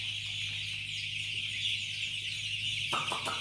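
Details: Day-old chicks at a Bagalkot district poultry farm keep up constant high-pitched peeping over a low mechanical hum, ending in a few sharp clicks.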